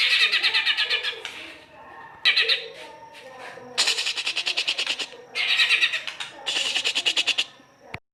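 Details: ['Rough, harsh white-rumped shama singing used as a lure to stimulate song: repeated loud rattling, buzzy bursts of rapid pulses, each lasting one to two seconds, with short gaps between.']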